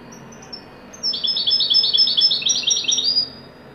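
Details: European goldfinch of the wedani kind in full song: a fast, continuous, liquid twittering run of bright high notes lasting over two seconds, preceded by a few thin high whistles.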